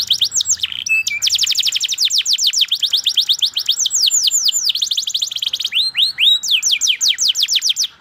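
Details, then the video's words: A domestic canary sings a long, continuous song of rapid high chirps and downward-swept trills with brief rolling buzzy phrases, played as a model for young canaries learning to sing. "KENARI Gacor PANJANG Cuit Cuit"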